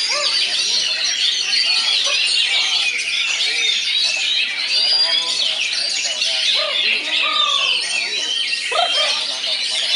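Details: Oriental magpie-robin (kacer) in a song-contest duel between two birds: dense, continuous high warbling with sharp whistled notes and rapid chirps, people talking faintly beneath throughout.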